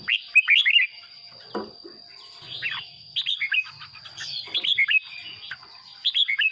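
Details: Red-whiskered bulbul song played to excite caged birds; short fluty, bubbly phrases of rising and falling whistled notes repeated in bursts, with a steady high electronic whine throughout and occasional soft knocks.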